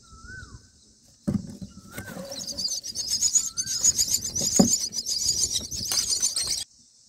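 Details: Nestling mynas begging while being fed a black cricket on day nine: a sudden flurry of shrill, scratchy, very high squeals lasting several seconds, with a few short downslurred whistles before it and rustling in the nest.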